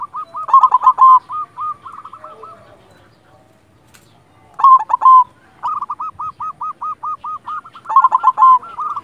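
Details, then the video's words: Actively singing silver zebra dove, a local bird: loud rapid trilled phrases separated by long runs of soft repeated hooked coos, about two per second. "Perkutut silver gacor"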